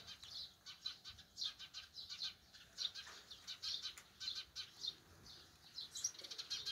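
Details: Sparrows chirping on a countryside morning: dense, rapid bright chirps and short clicky notes overlap continuously, with several birds calling at once over a soft breezy background.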